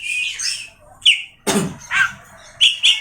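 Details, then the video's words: Oriental magpie-robin, the kacer, uttering separate clear whistles and chirps with pauses between them; one harsh, broad noisy burst cuts in midway. "awas Kacer nya jebol emosi dengar suara Kacer ini"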